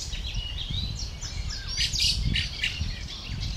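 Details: Young fieldfare waiting for its parents to bring food, recorded 20 May 2013: dense, squeaky high chirps and short rising and falling notes overlap in quick succession, over low rumbling wind or handling noise.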